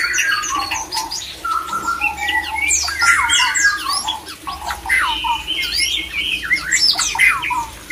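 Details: A white-rumped shama sings its breeding-season mating call to excite other shamas: busy, overlapping phrases of clear whistles, sharp chips and downward slurs follow one another about three times a second, with a soft low background drone.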